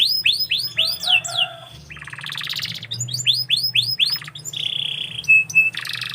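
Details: Canary in full song, mixing curved whistled notes repeated in quick series, rough buzzy trills and a sustained high rolling phrase, with a few thin pure whistles near the end; constant low hum.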